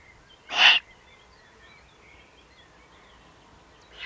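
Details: Eurasian eagle-owl in the Eifel, Germany, recorded on 31 May 2020 below its nest site; a single short, harsh, hissing burst, then near silence with faint distant background.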